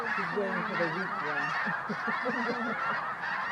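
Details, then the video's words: Snow geese at Bosque del Apache in December 2009, sunset or sunrise, a dense honking chorus with clear nearer, lower, wavering calls repeated rapidly over the flock's steady din. "Snow Geese Sunset and Sunrise"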